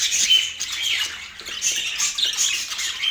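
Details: Pet budgerigar chatter from Portland: scratchy squawks and short whistled chirps tumbling together, briefly softer around the middle second before picking up again.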